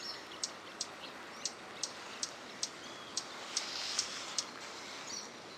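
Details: Swallow-tailed hummingbird (Eupetomena macroura) singing at 07:40 on 12 August 2017 in Parque Luis Latorre, Itatiba, São Paulo, Brazil: a series of thin, very high, sharp chips, about two or three a second, over steady background hiss.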